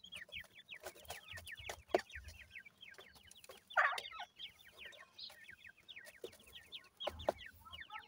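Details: Many captive Grey francolin chicks (gora teetar × dakhni teetar) twitter in rapid, slurred high peeps, several calling at once, with low thumps and a few louder knocks.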